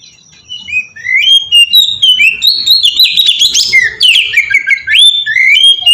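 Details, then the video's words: Melodious ngeplong song of an oriental magpie-robin, used as a lure to make magpie-robins sing: a soft start, then sustained loud, varied whistles with rapid high trills in the middle, and descending sweet notes to finish. "suara burung kacer ngeplong merdu sangat ampuh buat pancingan kacer bahan bikin cepat gacor"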